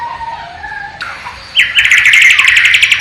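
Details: Bornean white-rumped shama in captivity, East Kalimantan, performing its learned sikatan londo and nightingale imitation: low steady whistled tones, then a sudden loud, fast trill of repeated bright notes to the end.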